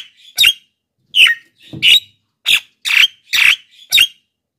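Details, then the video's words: Javan myna used as a lure for wild and captive mynas gives seven harsh, grating squawks at a fast, uneven pace, roughly two per second. "masteran JALAK KEBO super gacor,pancingan untuk bahan dan jalak yg malas bunyi"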